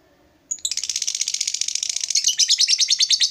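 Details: ['A lovebird bursts into a long ngekek: a dense, fast stream of high harsh chattering notes that grows louder toward the end.']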